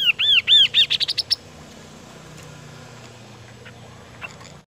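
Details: Kaso-kaso bird song: a burst of about eight bright arched whistles, quickening and rising into short high notes, then stopping abruptly, followed by a few seconds of low background hum and faint distant chirps.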